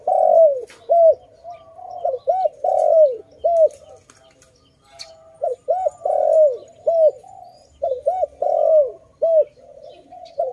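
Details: A dove, apparently caught in a trap, gives loud, low cooing notes, each swelling then falling, in bursts of several coos separated by short pauses.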